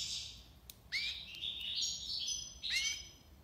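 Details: Goldfinch from Algiers in tiwawati song, somewhat distant over background hiss: a rising slurred note leads into linked drawn whistles stepping up and down, then another sharp rising slur.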